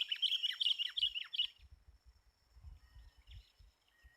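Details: Sooty-headed bulbul, called very fierce, heard at a lure-bird trapping session: a quick burst of scratchy, chattering notes lasting about a second and a half, followed by low thumping and rumbling handling noise with a faint distant chirp.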